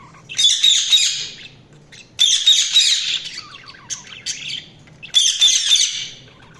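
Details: Budgies giving three rough, buzzy squawk bursts, each about a second long, with a few small twittering chirps between them.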